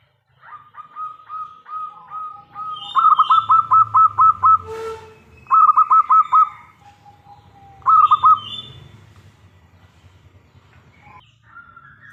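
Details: Loud-voiced local zebra dove singing vigorously, used as a lure so other doves answer. Soft introductory coos lead into bursts of rapid, pulsed cooing notes in three groups, with a low rumbling background.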